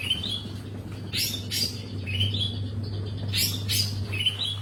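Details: Long-tailed shrike delivering varied song with rising whistled notes mixed with harsh, scratchy bursts, over a steady background hum.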